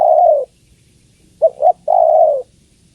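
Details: Female spotted dove calling to the male: a long, low, husky coo falling at its end, a pause, then two short clipped notes and another drawn-out descending coo. Quiet background.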